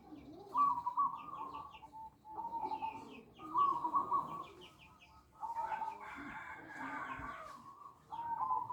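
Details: Lure call of zebra doves, sounded to bring other doves in; repeated soft, rolling coo phrases roughly every one to two seconds, some with a trilled, bubbling quality, several birds seemingly overlapping.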